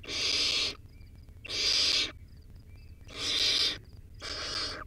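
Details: Four strong, hoarse hissing screams from a wild baby barn owl eating a rodent, captured by a nest stream camera, each lasting over half a second with short pauses, and faint high chirps between.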